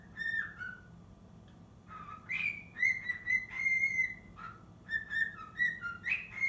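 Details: Young cockatiel, six months old, rehearsing the Totoro tune indoors. A brief whistle opens, then after a pause comes a longer sustained high whistle and a string of shorter notes that dip and rise again.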